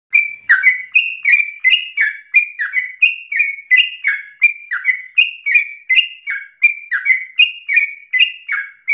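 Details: Sooty-headed bulbul in energetic, persistent ropel-style singing, recorded as a lure for tutoring other birds: rapid chattering series of short bright notes, each dropping into a slurred tail, about three per second, steady throughout.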